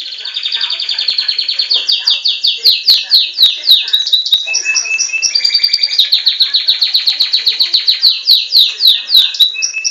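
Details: Belgian canary, a captive-bred bird, singing in a contest with a recording of its own song: fast clear trills of repeated notes, about three or four per second, alternating with sliding whistled phrases, loud and continuous throughout.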